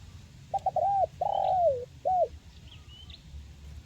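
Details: Single phrase from a spotted dove, local tekukur of the crisp 'mersik' kuk 1 style, used to coax reluctant birds to sing: quick stuttered notes, a drawn-out descending coo, then one short closing coo over faint background hum.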